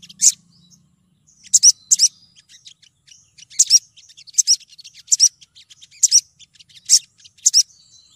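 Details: Female crimson sunbird calling to attract a male, used as a lure call: sharp, very high chirps, often doubled or in quick clusters, repeating about every second, with a brief low hum at the start.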